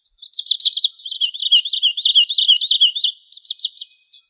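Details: High sandpiper trill, a continuous stream of quick, sharp, slightly wavering notes lasting about four seconds, louder in the middle and fading at the end. Clean background.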